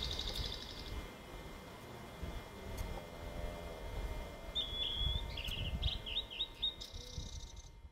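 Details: Male Blue-and-white Flycatcher singing just after arrival in early May 1997 on the Bikin River, northern Ussuriland, Far East. A short buzzy phrase opens, then a quick run of slurred, whistled notes, ending with another buzzy burst over a low background rumble.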